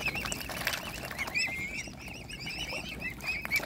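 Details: Hungry mute swan cygnets being hand-fed with their family give thin, high whistled peeps, several birds calling over one another in short repeated notes, with a soft murmur of background noise.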